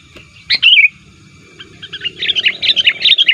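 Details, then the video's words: Sooty-headed bulbul lure call, used to attract wild bulbuls and described as active and pressing rivals: one loud, bubbly, downward-slurred chirp phrase, then a softer run of quick chattering notes toward the end. "pikat BURUNG KUTILANG Terbaik di akhir thn ini aktif menekan lawan"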